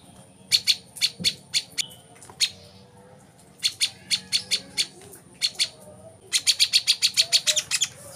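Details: Lure song of a brown-throated sunbird for getting captive birds to sing, heard more distantly: spaced high clicking chirps in short groups, ending in a faster rattling run, over a faint low hum.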